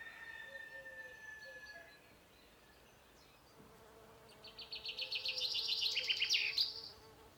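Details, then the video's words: Chaffinch song, sung in spring from the top of a tree to hold territory and draw a female: faint thin notes, a pause, then a fast high phrase accelerating into a rolling trill that ends sharply. "On vous a fait entendre le chant du pinson."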